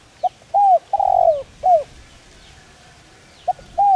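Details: Spotted dove calling voice for training decoys: a full four-part cooing phrase, then a pause, then the opening notes of the next phrase. The background is quiet.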